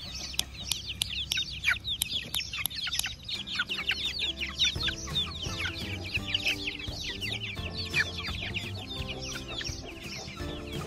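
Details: Week-old chicks free ranging with their protective mother hen, who adopted twelve of them, on a farm in Sialkot, Pakistan: dense, rapid high peeping chirps throughout, with background music joining after about three seconds.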